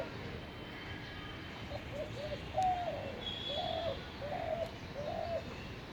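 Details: Spotted dove in North Kolkata on 10 February 2021, giving a series of soft, low, hollow coos, each slightly rising and then falling, spaced about a second apart, over steady background hiss.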